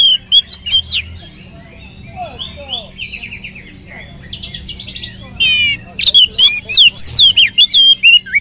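An Oriental magpie-robin pours out a rich, varied song of sweet whistles, rapid trills and buzzy notes in quick bursts, over a faint low hum.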